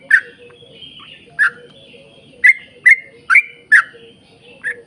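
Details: Yellow-vented bulbul song, long 'ropel panjang' style used to prompt other bulbuls to sing; scattered bubbly notes, then a tighter run of four quick slurred phrases, with a low steady hum beneath.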